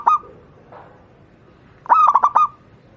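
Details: Wild local zebra dove, or Javanese perkutut, its voice used to train other doves: one short hoarse note, a faint murmur, then a fast run of four clipped notes ending in a short level coo.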